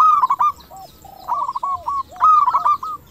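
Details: Local zebra dove of the 'crystal voice' singing style, used as a lure to draw other doves to answer, giving mid-pitched trilled cooing phrases broken by short lower hooked notes, two full phrases within about three seconds.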